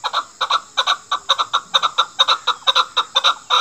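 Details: Chukar partridge calling a female chukar, a hunters' call: loud, rapid chuck-chuck clucks in quick doubled bursts, repeating steadily over a few seconds.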